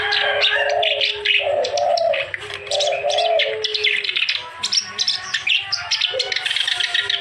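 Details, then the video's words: Kerak basi (clamorous reed warbler) in full continuous song, meant to spur lazy or silent birds into singing; rapid chattering and scratchy notes with repeated low warbling phrases in the first half. "KICAU BURUNG KERAK BASI GACOR"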